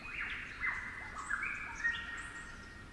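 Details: Melodic fluting from a Superb Lyrebird, the local 'flute lyrebird' accent of Werrikimbe Wilderness, New South Wales: clear whistled tones stepping up and down in a complex phrase, fairly loud above quiet forest ambience.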